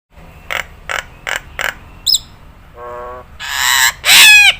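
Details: Nias hill myna used as a tutor recording that other birds copy easily: four short bright notes, a high thin whistle, then a low nasal honk and two loud harsh rasping squawks.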